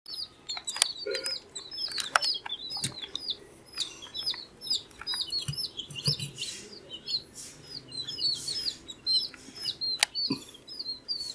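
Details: Many baby chicks, 14 days old, peeping in a dense chorus: high, thin chirps, each with a quick upward or downward flick, come several per second, overlapping throughout. Sharp clicks and soft rustling sit underneath.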